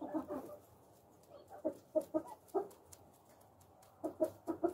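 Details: Friendly pet Japanese (Coturnix) quail on a farm, handled and fed by hand; sparse, short low clucks spaced unevenly, then a quick run of four clucks near the end.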